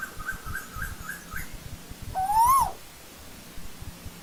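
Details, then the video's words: Asian koel calling in old-growth forest: one clear, loud whistle that rises steadily and drops sharply at the end. Faint softer notes come just before it, over a quiet background. "Tiếng chim TU HÚ rừng già"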